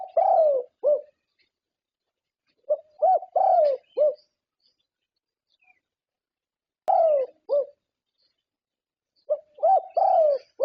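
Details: A prized Thai champion zebra dove delivers four separate cooing phrases with long pauses between, each mixing short clipped notes and a longer downward-sliding rolled coo, in quiet surroundings.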